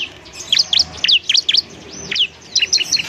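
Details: Bar-winged prinia (ciblek), semi-gacor song for teaching other birds: short, high, sharp chirps in small bunches, with brief gaps between groups and a steady chattering rhythm.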